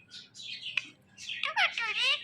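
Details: A male and female pair of pet Indian ringneck parakeets making morning sounds: harsh, buzzy squawks followed by a rapid burst of squeaky, rising and falling chattering notes.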